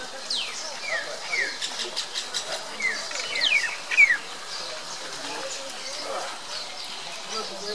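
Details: Common myna (Acridotheres tristis tristis) at Kaziranga, Assam, India, on 15 February 2017, giving a busy mix of chattering notes, sharp rising and falling whistles and squeaky chirps, loudest near the middle, over a steady background hiss.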